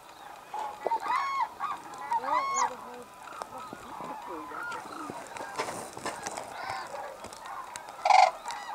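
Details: Hooded and White-naped Cranes at Arasaki Crane Center, Kyushu, Japan, in a snowy landscape: loud bugling calls with bright harmonics come in short bursts, then a scattered chorus of more distant calls, a sharp louder call near the end, and brief speech.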